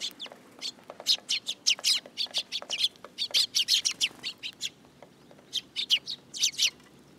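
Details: A group of sparrows riding on a person's hand at a Tenmangu shrine, 8 July 2022, chirps rapidly and continuously, bright high notes tumbling several per second before a brief lull and renewed bursts.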